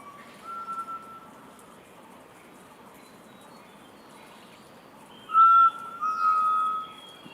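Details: Forest quail calling: long, pure, level whistles on one pitch. A short one comes early, then a louder pair near the end, with a faint higher whistle above. Steady outdoor background hiss throughout.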